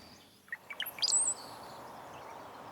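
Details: In Yosemite, a Brown-headed Cowbird gives a quick run of low, liquid gurgles that climbs into a thin, high, sliding whistle, all within one second, over a faint outdoor hiss.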